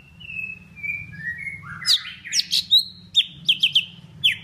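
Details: Vietnamese golden-fronted leafbird giving its lure song for trapping: long thin whistles slide down at first, then give way to louder sweeping slurs and quick sharp chirps, over a steady low background hum.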